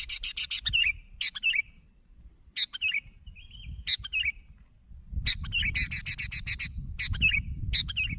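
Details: Sooty-headed bulbul calling to companions, mixing harsh rapid buzzy chatter with sharp clicks and short warbled phrases that dip and rise, repeated in bursts with brief gaps; faint low rumble underneath.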